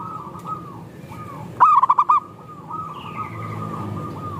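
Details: Local zebra dove song used as a lure to prompt other doves to sing: one loud burst of about five rapid, rolling coos, with fainter doves cooing steadily behind it and a thin, higher, slurred note near the end.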